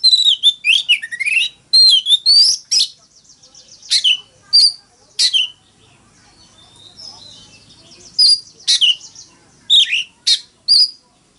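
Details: Oriental magpie-robin fighting song opening with a rapid varied phrase of whistles and trills, followed by widely spaced sharp high notes and short bursts.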